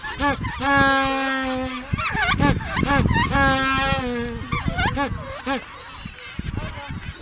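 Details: Braying mating call of a Magellanic penguin, Isla Magdalena, Chile: loud drawn-out honks held steady, alternating with quick wheezing in-breath notes, repeated rapidly, ending in softer calls.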